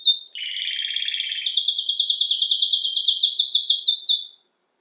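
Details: Domestic canary, also called canário-do-reino, singing a rapid rolling song: a low buzzy trill, then a brighter high tour of quickly repeated notes, ending abruptly in silence.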